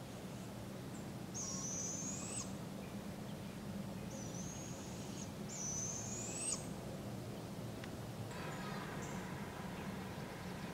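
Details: Barred owl fledglings begging as their parents feed them, at a local park in Polk County, Iowa, July 6, 2017: three rasping, drawn-out hisses, each about a second long, followed by a soft rustle.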